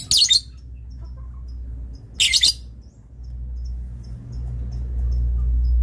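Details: Lovebird used as a master bird for training, two harsh rasping screech bursts two seconds apart over a rising low hum, with faint soft ticks in between.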